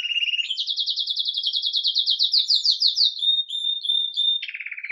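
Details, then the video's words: Red mosaic agate Belgian canary, recorded live, starting the day lively with its campainha (bell) song: rapid trilled tours repeated about three per second, a high pure whistled note, then a lower buzzy roll to close. "Canário Belga Ágata Vermelho Mosaico Canto Campainha"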